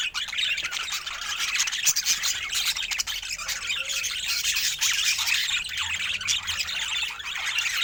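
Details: Colour-mutation budgerigars keep up an unbroken, busy warbling chatter, many overlapping chirrups and squeaks blending into a steady bright murmur with no pauses.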